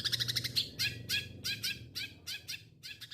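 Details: Long-tailed shrike song: loud bursts of harsh, buzzy, high chattering notes repeated in quick pulses, with short pauses between phrases and a low steady hum in the background.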